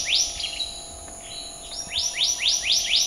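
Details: Black-naped monarch singing a series of bright, upslurred whistles, each note rising sharply, delivered in quick succession with a brief pause mid-phrase.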